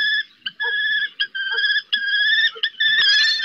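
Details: Common kestrel at Riet Vell Nature Reserve in the Ebro Delta, during a fledgling's first flight attempts while the female calls it from the roof. Long, drawn-out harsh whining notes, slightly wavering, broken by short gaps.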